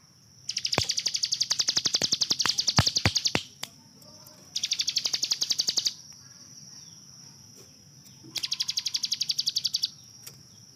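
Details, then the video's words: Rapid 'tembakan' shooting song of a hill prinia kept as a master bird for training other songbirds: three bursts of quick, high, staccato notes, each lasting one to three seconds, separated by short pauses. "CIBLEK GUNUNG || Melatih Speed dan Tembak Burung Gacoan"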